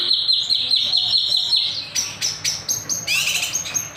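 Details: Kinoy bird singing gacor, nembak and sharp beset, as a lure or master recording: a fast regular trill for two seconds, followed by loud shrill chirps spaced a fraction of a second apart.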